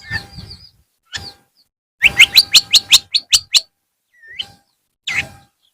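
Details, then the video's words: Long-tailed shrike singing in the afternoon: scattered harsh notes, then a fast series of about ten sharp, clipped chirps, followed by a thin rising whistle and another rough note. "TERAPI BURUNG CENDET SORE HARI"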